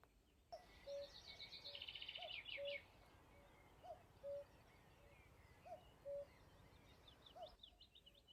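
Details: A Common Cuckoo, newly arrived from Africa, calling from moorland near Sheffield, England, in spring, repeats its falling two-note 'cu-coo' about every one and a half seconds, with small birds chirping and singing high above it.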